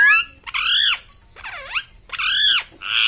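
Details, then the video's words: A parrot produces loud, nasal, arching squawks, about four separated phrases, one dipping low in a V shape, with short silences between them, in a quiet room. "parrot is talking"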